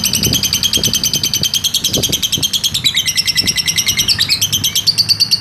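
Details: A lovebird's long ngekek trill, recorded as a training master: dense high, buzzy rapid-fire notes repeating about three times a second without pause, faint low thumps underneath.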